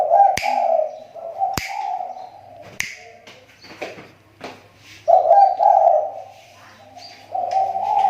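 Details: A spotted dove kept as a lure bird, its voice said to be improving after a recent drop, gives low cooing phrases in bursts near the start and end, with sharp clicks and light background noise between.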